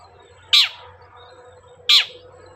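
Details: Long-tailed shrike, used as a lure to get other shrikes singing: two loud harsh rasping calls over a steady low hum.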